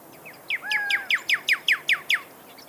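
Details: Pyrrhuloxia, or desert cardinal, of the American southwest and northern Mexico, singing a fast series of about nine clear downslurred whistled notes, sharp and evenly spaced, with a fainter steady whistle beneath near the start.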